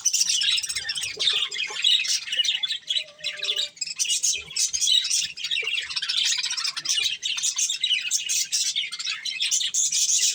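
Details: Steady high twittering and squeaky chatter from pet budgerigars eating corn, a few faint lower tonal notes and clicks mixed in.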